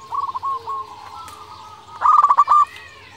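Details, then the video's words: Vocal local zebra dove used as a lure for other doves: a brief soft rolling coo, a long quiet level coo, then a loud burst of rapid stammering coos. "Perkutut lokal gacor suara paling di sukai perkutut sekali dengar bikin lawan langsung nyaut"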